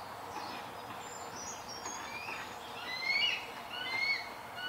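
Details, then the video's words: Juvenile eagle calling for its breakfast: thin, high whistled notes that rise and slur upward, two louder ones near the end, over a steady hiss of outdoor background noise. "Juvenile eagle calling for his breakfast"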